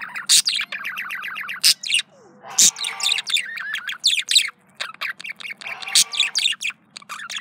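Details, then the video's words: Pet male budgerigar, or parakeet, courting itself; busy, continuous warbling of quick chirps, buzzy notes and sharp squawks, with a faint low steady hum behind. "Male Budgie/Parakeet Courting Self"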